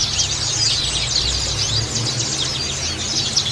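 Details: A colony of oriental white-eyes singing together: a dense, continuous chorus of high, thin twittering and rapid chirps overlapping throughout, with a low steady hum underneath.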